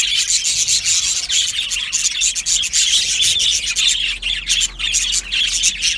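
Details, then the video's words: Aviary colony of budgies, many birds singing together in a continuous busy twittering, with rapid overlapping chirps and rasping notes throughout. "Beautiful Budgie singing and chirping sounds"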